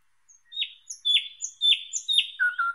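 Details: Thrush nightingale song phrase: four loud downward-sweeping whistled notes paired with high piping notes, evenly repeated about every half second, then a quick low bubbling trill.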